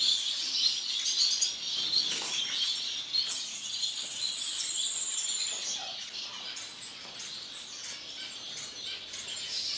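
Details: Masked lovebird, violet mutation, standard, one of a captive collection; rapid high-pitched twittering and squeaky chirps run throughout, with a drawn-out whistled note in the middle and scattered sharper calls.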